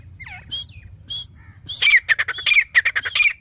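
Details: Grey francolin, called teetar: a few thin whistled notes, then a loud run of harsh, rapid, repeated squawking notes with bright rising accents, low hum underneath.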